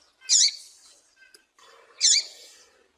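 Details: Two bright, sharp chirps from a female Double-collared seedeater, about 1.7 seconds apart, each trailing off with soft high noise. Breeders play this to excite and fire up males for tournaments.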